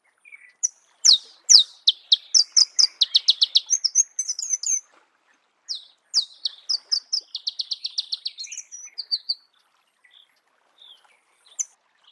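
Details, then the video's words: Marico sunbird singing in natural habitat: two rapid bursts of high, sharp twittering notes, quickening into fast trilled runs of about a dozen notes each, separated by a short pause, with a few scattered chips afterwards; no other sounds. "Marico Sunbird"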